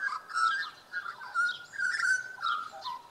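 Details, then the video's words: Australian magpie in Tasmania giving a loud, rich warbling carol, fluting phrases gliding up and down with brief dips between bursts, continuous over three seconds with no other clear sounds. "塔斯曼尼亞 黑背鐘鵲 Australian Magpie"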